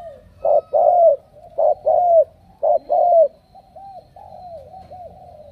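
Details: Strong-cooing spotted dove from Ca Mau. Three clear pairs, a clipped note followed by a longer falling coo, then softer trailing notes, over a faint low hum.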